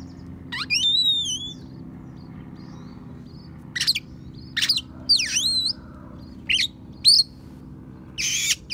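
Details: Oriental magpie-robin singing a song filled with house sparrow and prinia imitations, used to tutor other songbirds: sharp high chirps and a wavering, descending whistled phrase, then scattered short chips with long pauses.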